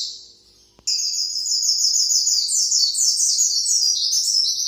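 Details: Long white-eye 'nembak' song used to train other birds: after a faint opening, a sudden loud, continuous chain of high, quick descending whistled sweeps.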